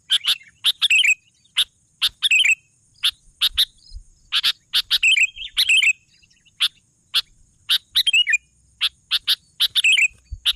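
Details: Long run of sooty-headed bulbul song from a bird singing actively: rapid sharp chirps and short falling twitters, irregularly spaced, sometimes doubled, continuing without a break.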